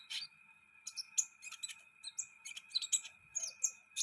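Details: Sunbird chirping in the wild, with rapid high squeaky notes and brief twittering bursts repeated irregularly over a constant faint electrical-like hum.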